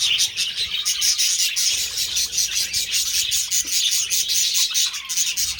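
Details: Budgerigars, caged birds filmed while mating, giving a dense, continuous, scratchy high chatter of warbles and chirps, with many short clicks and squeaks overlapping throughout and no other clear sounds.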